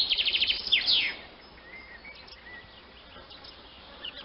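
Swallow giving a quick burst of high, scratchy twittering chirps for about a second, then a few faint thin notes over soft outdoor hiss.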